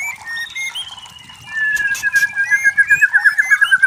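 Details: White-rumped shama in forest: long sustained whistled notes drifting downward, ending in a rapid rolling trill of repeated notes, with faint background chatter.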